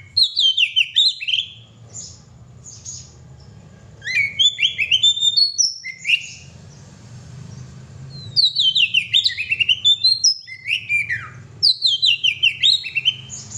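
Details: Kacer, the oriental magpie-robin, singing energetically in repeated bursts of rich whistled and scratchy notes that swoop downward, separated by short quiet gaps, with a faint low hum beneath.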